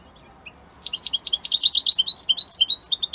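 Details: A European goldfinch from Italy starts after a short silence and sings a continuous stream of quick, liquid twitters and chirps at high pitch, steady and busy throughout.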